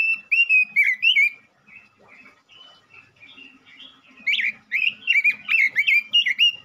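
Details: Male robin in full song, meant to stimulate other robins: rapid fluty warbling at the start, a quieter murmured stretch in the middle, then dense, loud, tumbling whistled phrases with upswept notes to the end.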